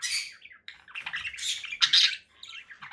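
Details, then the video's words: Conure parakeet giving dense, rasping squawks and chirps that swell to a loud grating burst, with faint low rustling underneath. "conure parakeet sounds"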